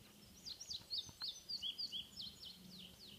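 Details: Indigo bunting recorded 9 May 2015 at Harriman sings a quick run of high, sweet, slurred notes, several given in pairs, over about three seconds, with a faint low hum beneath.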